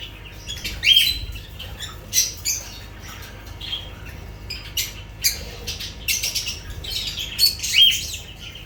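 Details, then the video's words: Lovebirds calling: scattered sharp, high squawks and chirps in short bursts, with quieter chatter between them. "Sounds of lovebirds"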